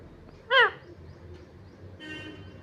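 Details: Green parrot kept as a pet gives one short, loud, harmonic squawk that bends downward. Quiet room background follows, then a faint hum, with a person speaking Hindi right after.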